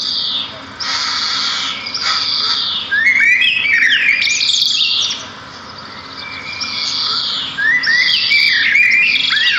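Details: Several sparrows sing together in the wild. Bursts of high rasping trills alternate with twisting whistled phrases. There is a short lull midway before the chorus swells again.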